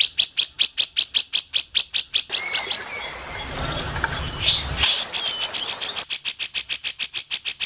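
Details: Grey-cheeked bulbul, for song training, giving quick runs of sharp, clicky high notes about twice a second. A noisier stretch with faint whistles breaks the series midway before the rapid notes resume.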